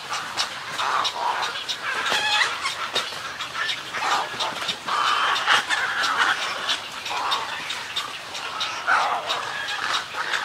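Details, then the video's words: Snowy egrets calling in a colony, with colony and greeting calls: a steady chorus of rough, grating croaks and clattering notes from many birds, with no pause throughout. "Snowy Egret. MCU-CU Colony Calls And Greeting Calls, Wingbeats And Calls From Ch"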